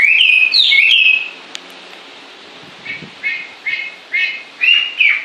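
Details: Two clear whistled phrases open, then a quiet gap, then a series of five short, sharp, rising notes repeated at a steady pace.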